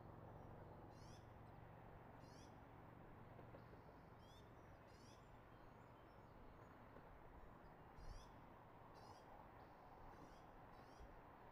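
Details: Eagle at the nest in Redding, recorded early morning on 24 March 2022 at 06:34: thin, high chittering call bursts repeated irregularly several times over low steady background rumble.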